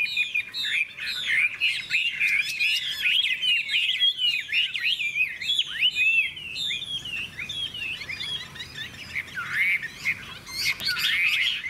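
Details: Contest-style singing (hót đấu) of a hwamei, golden and bright with a large tail and wing-flicking display; a fast, unbroken stream of varied whistles, sharp downward slurs and chattering trills, rising to shriller notes near the end.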